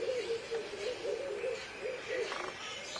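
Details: Purple-crested turaco calling in a quick run of short, mid-pitched barking notes, grouped in rhythmic bursts with brief gaps over about three seconds, against a soft steady hiss.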